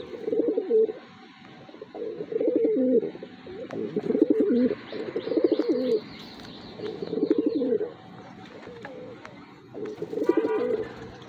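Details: Racing pigeon described as aggressive, cooing repeatedly: six throaty, pulsing coo bouts of about a second each, spaced roughly every two seconds, with faint high chirps and a soft background hum.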